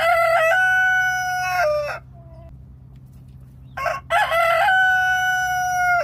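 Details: Local village rooster crowing twice: two long, loud harmonic crows, each held steady for over a second with a rough, stuttering onset, separated by a near-silent gap of about two seconds with faint background hum.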